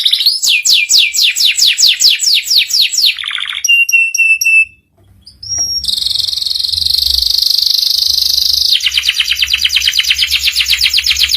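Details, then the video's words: Canary tutor song for young canaries, ngeriwik style: a rapid series of descending swept notes, a low rattle, short pure whistles, a short gap, then a long buzzy trill and a fast chattering roll. "PANCINGAN SUARA KENARI PAUD CEPAT BELAJAR BUNYI NGERIWIK || MASTERAN KENARI PAUD"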